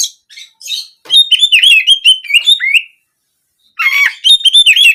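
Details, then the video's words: Oriental magpie-robin singing in the canary-shooting style, used as therapy to prompt singing for daily or competition use: rapid warbling phrases of looping whistles and trills, a brief silence, then another energetic burst. "Terapi Burung Kacer Agar Buka Paruh Gacor Harian Maupun Lomba Suara Nembak Kenari"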